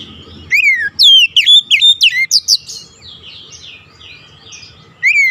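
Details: Oriental magpie-robin song used as a lure to get a stressed, silent bird singing: loud clear whistled notes, some sharply falling and some rising, delivered in a rapid burst with a pause before a final slurred whistle.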